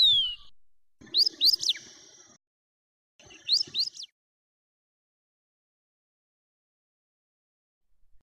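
White-browed Wagtail giving a burst of three or four sharp, high, rising whistled notes, repeated after a pause; otherwise quiet.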